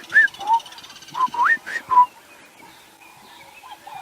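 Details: Southern boubou in a dawn chorus echoing off trees in a drainage line on a sunrise drive, 5 October 2016: five or six clear, liquid whistles, some rising, some falling, in two seconds, with softer birdsong behind.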